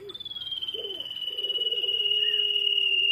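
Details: Common iora in vigorous song, used to lure other birds: a single drawn-out, pure, high whistle that sags gently in pitch over three seconds, with a faint low humming tone beneath.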